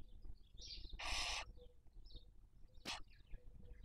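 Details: Barn owl (Tyto alba) raising young in the 2023 breeding season, on a nest webcam in Cabañeros National Park, Spain: one short harsh hissing burst, a brief sharp click later, and faint soft chirps in quiet background.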